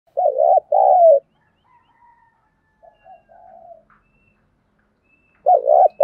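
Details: Spotted dove used as a decoy, calling to lure other doves: a loud, mellow cooing phrase of short hooted notes and a longer falling coo, repeated after a pause, with faint soft notes between.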